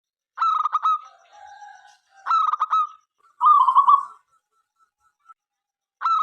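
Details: Local-strain zebra dove in frequent song, meant to invite other doves to sing; three bursts of staccato mid-pitched cooing notes running into a rolling trill, with quiet gaps between phrases.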